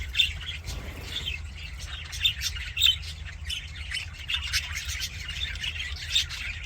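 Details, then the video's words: Happy budgerigar chatter with intermittent squawky chirps and soft warbling, a few louder sharp notes standing out, over a low steady hum. "HAPPY BUDGIE SOUNDS FOR LONELY BUDGIES"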